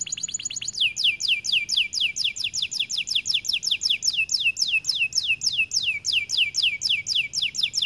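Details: Loud, lively singing from a white AF canary: a brief rapid trill leads into a long, even run of quick downslurred whistles, repeated about three times a second throughout.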